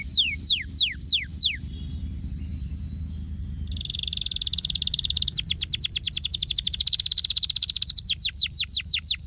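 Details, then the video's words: Stimulating canary song opening with five steep falling whistles, a short gap, then a dense buzzy roll that breaks into a long fast series of repeated downward sweeps, slowing toward the end. Faint low hum underneath. "Muito estimulante Estimular som"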